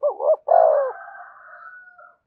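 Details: Spotted dove calling to lure wild doves, which answer and return to the perch; two brief hooked notes, then a rich coo trailing into a long, thin, fading whistle-like tail.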